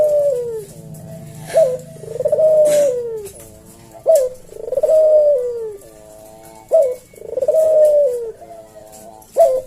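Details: Puter jawa collared dove delivering repeated 'kuk deruk' coos in the unhurried slow senggang style for bird tutoring: four rounds of short sharp note, drawn falling coo and buzzy low phrase, steadily paced about every two and a half seconds.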